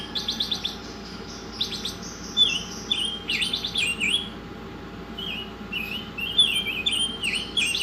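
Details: Oriental magpie-robin masteran song opening with fast buzzy rattled bursts, followed by clear whistled slurs and high sharp notes, all over a steady background hum.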